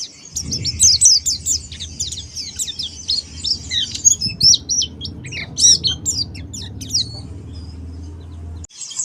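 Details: Challenging ngalas song of a Monty Oriental white-eye: an energetic run of high, sharp, slurred twitters in bursts, over a faint low hum that cuts off near the end.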